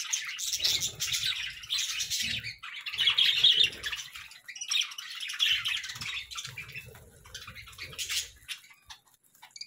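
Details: Chattering budgerigars at morning time, waves of quick buzzy chirps and warbles repeating rapidly, fading somewhat toward the end, with soft low rumbles underneath.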